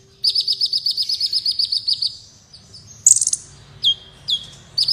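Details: Kolibri wulung sunbird singing as tutoring material for competition birds: a long, even, high trill of rapid repeated notes lasting about two seconds, then a dense buzzy burst and several sharp down-slurred chirps, over a soft low hum.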